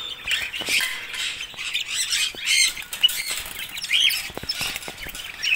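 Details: Red-rumped parrots: a busy chorus of harsh, scratchy chirps and squawks from several birds, with repeated wing flutters and soft tapping noises throughout.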